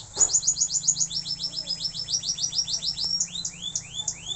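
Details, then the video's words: Canary learning to sing: a quick trill of very high clipped notes, then slower descending sweeps, ending with several rising-then-falling whistled slurs. "suara burung kenari belajar gacor"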